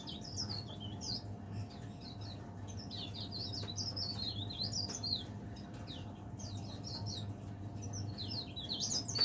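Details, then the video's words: A caged leaf warbler that keeps singing from morning to evening pours out repeated high, wavering twittered phrases separated by brief pauses, with a faint low hum underneath. "burung pare-pare / cikrak daun gacor"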